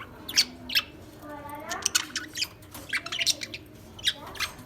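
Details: Lovebirds chirping with sharp, high squeaks at uneven intervals, plus a softer warbling, rising tone in between; background fairly quiet.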